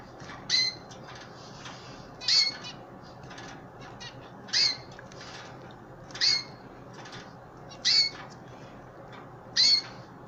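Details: Hand-fed pet canaries, old bird and chicks together: sharp high chirps repeat at a steady pace of roughly one every one and a half seconds, with faint fluttering and clicks in the gaps.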